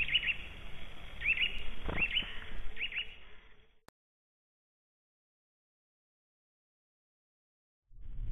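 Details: Calls from a White-tailed Eagle nest in Latvia, March 2012: a series of short, hooked, high yelping notes in several quick bursts over about three seconds, with low rumbling background noise, then silence.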